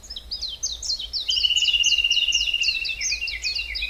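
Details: Birdsong in the Hallerbos, a mixed deciduous forest near Brussels, Belgium: bright, fast, high sweeping notes while a second bird adds a long, level, buzzy trill through the middle; low steady hum behind.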